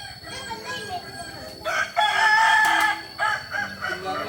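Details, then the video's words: Kukuak Balenggek chicken from Solok, a rooster giving a strong crow of about a second and a half with stepped pitch, plus shorter crowing bursts before and after over a low background murmur. "Ayam kukuak balenggek asli solok"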